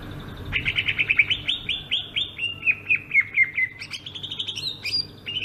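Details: Rolling ngerol song of a greater green leafbird from Sumatra: a quick rhythmic chain of short chirping notes, about two per second, each dipping in pitch, running on with a few higher sharp notes near the close.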